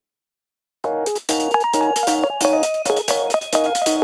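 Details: Electronic music starts after a short silence, with bright, rhythmic synthesized chords and a melody, and no animal sounds.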